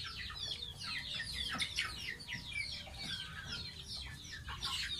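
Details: Thin, high peeps fall in pitch, one after another in a rapid chattering stream, from a young pet goose taking a bath.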